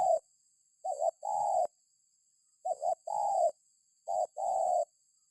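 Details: Lure call of a spotted dove meant to set other birds calling. Soft cooing phrases come about every one and a half seconds: a short double note then a long, steady, mellow coo, with the first phrase cut off.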